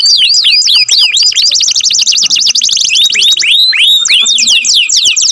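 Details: Canary song, loud and continuous: rapid high trills of repeated chirps, then upward-sweeping whistled notes and slurred rising phrases, all high-pitched and unbroken.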